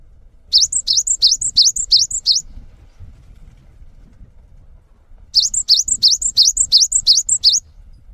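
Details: Cinereous tit (gelatik batu) with gacor song used as a training model for other birds: two bursts of six to seven high, ringing two-part whistled phrases, separated by roughly three seconds of quiet background.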